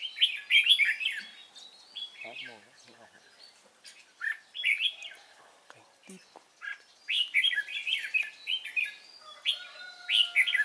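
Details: Red-whiskered bulbul of the Cánh ruồi kind, trapped on 3 March 2017, delivers energetic chirpy warbled runs in clusters, with a pause midway, some clicks and a faint steady tone late on.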